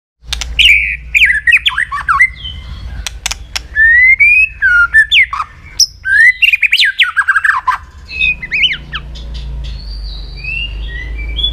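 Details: White-rumped shama singing a varied song, used to stimulate and train other shamas: loud whistled phrases, slurred rising and falling notes mixed with sharp clicks, fast and busy for eight seconds, then quieter high whistles over a low hum.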